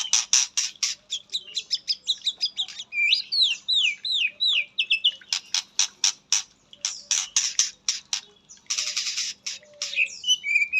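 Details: Caged white-rumped shama in Indonesia, katem song fill: long stretch of loud sharp rasping notes broken by a run of falling slurred whistles, then more rasping bursts.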